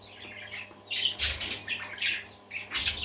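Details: Indoor parakeets, budgerigars, give bursts of loud scratchy chatter and squeaky chirps in three or four rising waves, separated by quieter warbling, with a faint background hum.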